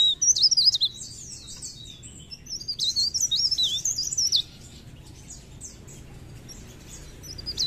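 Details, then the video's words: Mountain leaf warbler in full song: a rapid high warbled phrase of thin, wavering whistles, a pause, then a longer jumbled burst of twisting notes before fainter trailing bits, over a low steady hum. "Suara Blerengan ( Cikrak daun ) Gacor"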